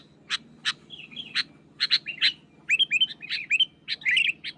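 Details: Wild sooty-headed bulbul singing against a rival, opening with sharp isolated clicks and short whistles, then quicker warbled phrases of rising and falling chirps.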